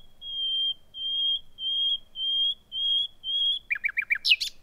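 Common nightingale singing: six long, pure whistles on one high pitch, evenly spaced, then a quick run of falling notes and a harsh burst.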